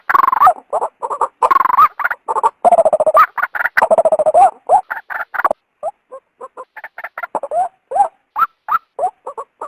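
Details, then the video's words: A female white-breasted waterhen's call, used to lure a male into the open. Heavy runs of harsh, throaty croaks give way to lighter, spaced clucking notes with small rising inflections. "suara burung ruak betina"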